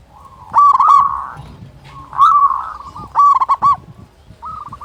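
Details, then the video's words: Local zebra dove with a big voice, used to get silent doves calling: repeated bursts of warbling, trilled coos, each phrase rising then breaking into quick hooked notes, with a softer phrase at the end. "Perkutut Lokal Gacor Suara Besar Masteran Pancingan Burung Perkutut Agar Bunyi"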